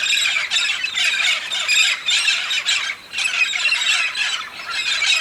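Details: Big flock of red-spectacled parrots on their yearly migration to the Santa Catarina highlands of southern Brazil to eat pinhão, giving loud bursts of harsh, overlapping squawks with brief lulls between waves of noise.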